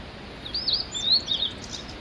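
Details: Male Blue-and-white flycatcher singing on Mount Migita: high, clear whistled phrases that swoop up and down, slurred notes run together in one bright phrase of about a second, over a soft steady background hiss.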